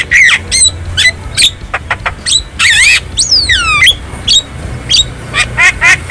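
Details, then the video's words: Javan myna singing in the wild, a tutor recording for caged birds: sharp clicks, gravelly squawks and long descending whistled slurs, phrases spaced about half a second apart. "Masteran Burung Jalak Kebo Jabo Jalbo Asli Alam Liar"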